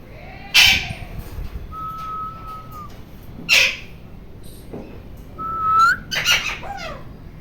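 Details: Noisy ringneck green parrot (rose-ringed parakeet) giving three loud, harsh, rasping screeches about three seconds apart. Between them come two steady, level, mid-pitched whistles, the second rising slightly at its end.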